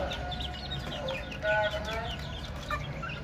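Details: Young chickens chirping: a flurry of short, high, falling peeps, with a couple of louder sustained whistled notes around the middle, all over a low humming background.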